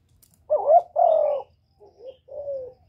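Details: Spotted dove cooing as a lure for other doves, recorded without background noise. A loud two-part phrase, a quavering note then a sustained coo, followed by two softer, lower short coos.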